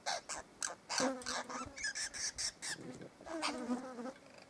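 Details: Inquisitive wild Apostlebirds at a campsite near Bourke, New South Wales, Australia, on a hot afternoon, enjoying a bowl of water. Harsh, grating bursts repeat about twice a second in ragged series, with brief pauses between.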